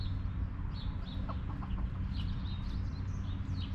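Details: Backyard hens relaxing in their coop, giving a short run of soft, low clucks in the middle, over a steady low hum with small high chirps from wild birds throughout.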